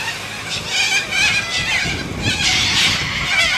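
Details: Noisy Australian white cockatoos keep up a continuous grating, rasping racket, with overlapping screeches that barely pause across a few seconds, over faint low background noise.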